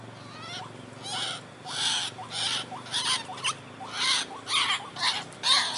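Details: A White-breasted waterhen's lure call: loud, rhythmic, harsh notes roughly twice a second, mixed with bursts of broad, rasping sound.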